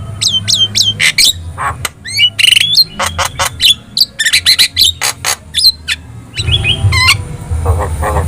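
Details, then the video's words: Vigorous Javan myna singing, played as a tutor recording meant to make other birds answer: rapid squawks, clipped chirps and upward-flicking whistles in quick runs, with a low droning hum beneath. "SUARA MASTERAN JALAK KEBO GACOR | Cukup Putar 2 Menit,Di Jamin Burung Lain Bakal Respon"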